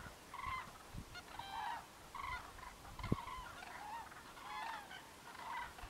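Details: Several common cranes foraging in a winter field, picking here and there, give loud, rolling trumpeting calls, overlapping in irregular bursts about every second, with low thumps and light background noise.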